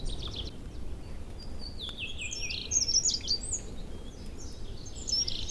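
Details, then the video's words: Early spring chorus in April woods and meadows near a river carrying meltwater: several overlapping high whistled and twittering phrases, the loudest in the middle and at the end, over low continuous rushing noise. "Songs birds in early spring."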